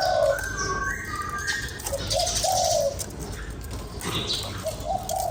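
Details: Spotted dove calling to stimulate a lure bird: a short run of soft, low, hoarse coos, the last ones drawn out, with higher chirps and twitters from other birds behind.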